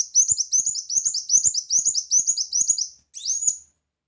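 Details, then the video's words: A loud brown-throated sunbird chatters steadily, delivering rapid high twittering notes for about three seconds. It finishes with a single sharply rising whistled note, then falls silent. "Kolibri Wulung Gacor Tembakan Keras Masteran Handal"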